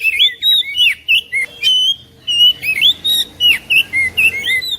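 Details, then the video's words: Prompting song of an oriental magpie-robin, used to get a lazy magpie-robin singing: a steady sequence of loud, rich whistled notes and slurs, about two per second, with one brief pause. "KICAUAN KACER"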